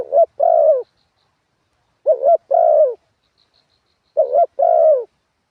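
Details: Spotted dove singing a forest-style coo at ground level, described as very sweet-voiced: a short note followed by a longer, lower rolling coo, the two-part phrase repeated about every two seconds against a silent background.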